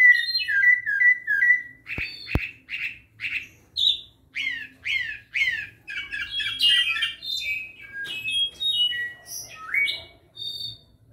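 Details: Clay-colored thrush (zorzal cafetalero) with a series of short whistled notes, then a run of rising and falling squeaky chirps about every half second, two sharp clicks near the start.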